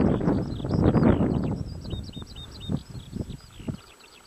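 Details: Eurasian skylark at Adderstonlee near Hawick pouring out rapid high chirruping notes, while heavy low rumbling fades into a few soft knocks and thuds.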